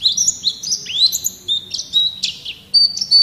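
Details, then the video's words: Pleci, or white-eye, in vigorous 'gacor' song as a tutor recording for kept songbirds: high whistled notes and slurred rising and falling chirps, with sustained thin tones and a few buzzy bursts, delivered in a lively, varied string. "Suara Burung Pleci | Gacor"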